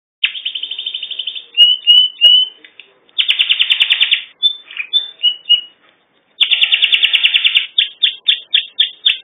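A canary sings in bright, high bursts: fast rattling trills, then sweet whistled notes, pausing and starting again with rapid chopped phrases.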